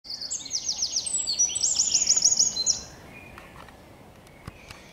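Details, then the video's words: A Eurasian wren sings on 9 May 2023: a loud, high, rapid burst of trills and ringing notes lasting nearly three seconds, then stops, leaving quiet background hiss. "Śpiew strzyżyka"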